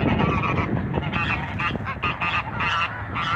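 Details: Six Toulouse geese, males and females, in a backyard, giving loud, harsh, repeated honks that overlap in a noisy chorus with steady background noise.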